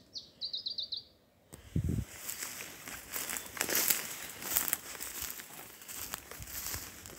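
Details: Putative Iberian chiffchaff at Skagen, Nordjylland, Denmark, 17 June 2019, around 04:08–04:25 before sunrise, probably a freshly arrived night migrant, sings one brief phrase of about six quick, high, slightly falling notes before gusty wind and handling noise.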